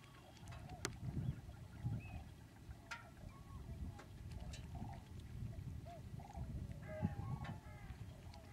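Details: Common cranes at Lac du Der, France, in February 2011, during an exceptional late-winter migration passage, give distant overlapping bugling, trumpeting calls from a large flock, scattered throughout over a heavy low wind rumble.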